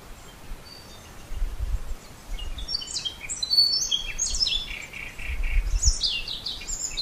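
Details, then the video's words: Common starling song of thin, slurred whistles that dip and glide, some sliding downward, over steady low background rumble. "Скворец. Часть 2. Голоса птиц"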